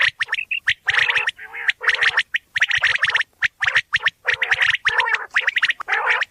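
Quail give harsh, rasping, gargling chatter in rapid bursts of about a second, broken by brief pauses, with several birds seeming to call over one another.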